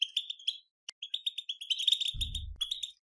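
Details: European goldfinch song for stimulating goldfinches to sing: rapid high twittering phrases with a brief pause and a sharp click near one second, and a low dull thump partway through the final second.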